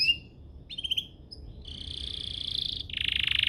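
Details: Canary singing to draw other canaries into song, with a few short chirps and a brief trill followed by a sustained buzzy, rattling roll.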